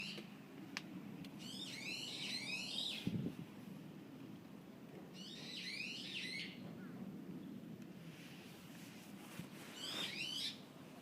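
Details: A bird gives quick runs of high, buzzy, zigzagging chirps in three bursts, around 1.5, 5.5 and 10 seconds, with quiet gaps between them over a steady low rumble.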